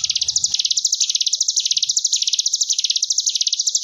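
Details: Ciblek gunung (Sunda bush warbler) tutor song in the continuous ngebren wave style, for training young caged birds: a fast, high, buzzy trill of tightly repeated notes that swells and dips in waves, with a brief low rumble at the start.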